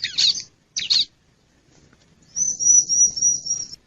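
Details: Bar-winged prinia sound meant to attract wild birds: two rough, buzzy notes, a quiet gap, then a long, thin, very high wavering trill.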